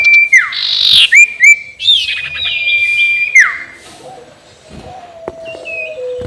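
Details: Ngekek call of a sirtu, played to stir up rival birds: repeated level whistles each dropping in a steep slur, mixed with loud buzzy notes, then quieter tonal whistles.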